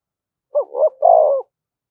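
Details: Spotted dove decoy calling to provoke fighting gives one phrase: two short, rising, hollow notes followed by a longer, steady, mellow coo.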